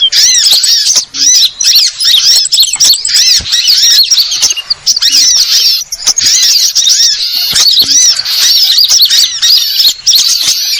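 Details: Sunbird calls forming a continuous, busy stream of high squeaky chirps and arched twittering notes, repeated rapidly in short overlapping bursts with a few brief gaps.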